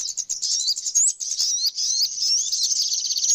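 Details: Short burst of flowerpecker song: shrill, fast chips mixed with thin sliding whistles, some sharply rising, all very high and delivered in a tight, nonstop run.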